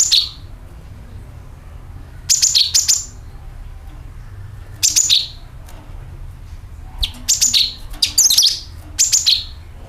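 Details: Sooty-headed bulbul, used as a lure to attract birds, giving short bright bursts of high chirps, each dropping quickly, in groups every one to two seconds, over a low hum.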